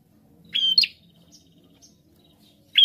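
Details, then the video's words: A prinia singing actively gives a few sharp, high chirping notes in quick bursts, with short pauses between them, over a quiet background. "Prenjak Gacor"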